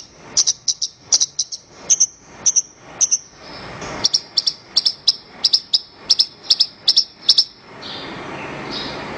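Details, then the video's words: Horsfield's bush lark song recorded as a master track for training other songbirds: bright, high chirped notes in quick clusters, repeated evenly over a faint hiss, ending in softer noise. "Ocehan Suara Burung Branjangan"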